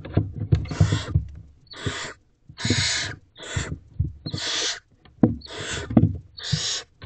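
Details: Young barn owls crowding against their mother in a nest box at night, late April 2023, mouse possibly present. Repeated harsh hissing screeches, some overlapping, mixed with frequent low knocks and scrabbling of feet.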